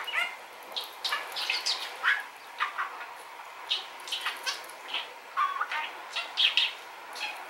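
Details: Male rainbow-coloured pet budgerigar chattering indoors, caught at a distance with a telephoto zoom: a rapid stream of short scratchy chirps, clicks and warbled notes, some rising sweeps, running almost continuously with brief pauses.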